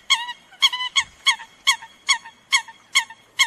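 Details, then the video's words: A Eurasian coot giving its flock-gathering call: short, nasal, honking notes, about nine in under four seconds at a quick, slightly uneven pace. "Tiếng sâm cầm gọi đàn"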